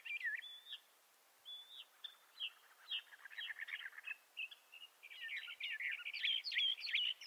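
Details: Song of Bendire's thrasher, a thrasher native to the southwestern United States and northwestern Mexico: a sustained jumble of warbled, slurred phrases and short whistles, rising in intensity toward the end.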